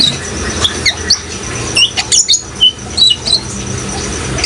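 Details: A van Hasselt's sunbird sings in gacor fashion: a short sequence of sharp, high, clipped notes and brief whistles over the sound of water.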